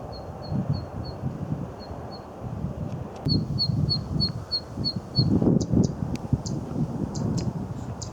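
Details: Zitting cisticola on a riverbank gives its two distinctive call types: thin, high 'zit' notes, likened to a drumstick tap, about three a second, then sharper, harsher 'chet' notes like an old bicycle brake, over steady low wind rumble.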